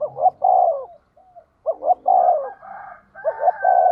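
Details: Spotted dove used as a decoy to lure wild birds, cooing in quick succession: clipped double notes then a long sliding coo, repeated about three times with faint overlapping higher tones and low background hum.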